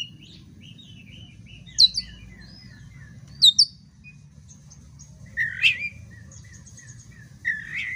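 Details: Oriental magpie-robin singing to provoke a fighting response: sharp high double notes, then warbled downslurred phrases and buzzy mid-pitched notes at irregular intervals over a constant low hum.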